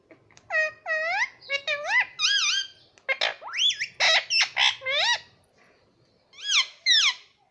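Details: Young green parrot kept as a pet, calling in bursts: nasal, harmonic squawks that dip and rise, some short and clipped, others drawn-out upward slurs, a pause, then two final rising cries.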